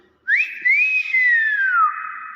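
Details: Nias hill myna giving its natural voice: one long clear whistle that sweeps sharply upward, dips, rises again, then glides slowly downward and levels off into a steady tone.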